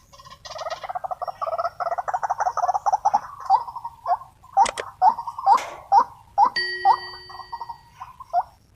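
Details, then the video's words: Wild white-breasted waterhen reacting wildly to a decoy during trapping: a fast rattling chatter of croaky notes gives way to separate rising 'wuk' notes, mixed with sharp clicks and a brief steady electronic-like tone. "Amukan burung wak wak / ruak ruak liar semasa memikat."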